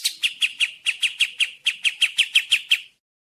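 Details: Sooty-headed bulbul: a string of crisp, descending chirps in small clusters, slightly uneven in rhythm, ending abruptly into silence.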